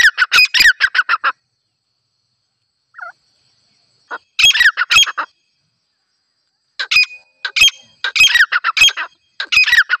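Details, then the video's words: Female grey francolin hunting call: scattered bursts of harsh, rapidly repeated squawks separated by quiet gaps, with one faint short note in between. "Dise female titar ki awaz"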